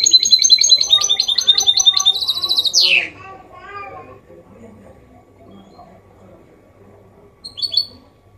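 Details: Mule of goldfinch performing Málaga-copy song for tutoring young birds and prompting males: about three seconds of fast, high, chattering phrases ending in a descending sweep, then soft background murmur and one brief twittered burst.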